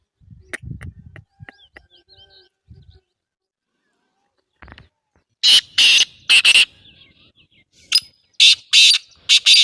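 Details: Black francolin call: scattered soft knocks and faint chirps, then, after a pause, loud grating rasps in pairs, followed by a further run of shorter harsh buzzy notes near the end.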